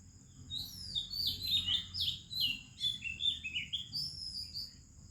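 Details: In the Indian morning, an Oriental magpie-robin pours out a loud, varied song of clear whistled slurs and quick chirps, phrase after phrase, over a continuous high-pitched insect buzz.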